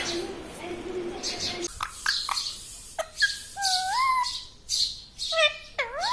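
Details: Pet parrot said to speak words like mummy, papa and radhe radhe, giving a run of voice-like wavering tones and short squawky syllables after a stretch of low background hum.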